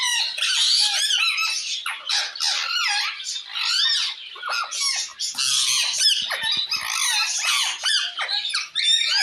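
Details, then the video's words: A parrot calls out to another parrot in a continuous stream of loud, raspy squawks mixed with screeching sweeps and short chattering bursts, barely pausing across the whole stretch. "Parrot Calling Other Parrot Sound"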